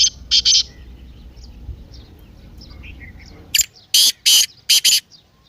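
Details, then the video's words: Partridge call, played to rouse a silent caged partridge into calling: two loud harsh rasping notes at the start, faint distant chirps, then four loud grating bursts in quick succession near the end. "تیتر کی مستی والی آواز"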